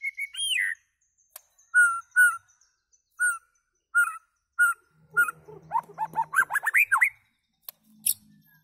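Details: White-rumped shama giving a looping whistle, then spaced short whistled calls about every half second, ending in a fast burst of ascending notes over a faint low hum.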